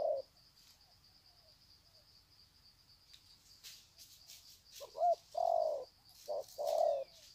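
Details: Spotted doves at Sê San, 21 February 2020, greeting with 'sạc gù' cooing: mostly quiet with a high hum and faint rustles, then after five seconds a wavering note and two low, drawn-out coos.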